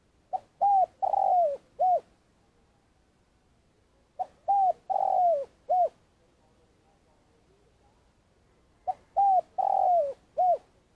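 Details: Spotted dove used as a trapping lure, giving long calls: three cooing phrases, each a short note, two hooked coos and a long falling coo, separated by pauses of a few seconds, in a quiet setting.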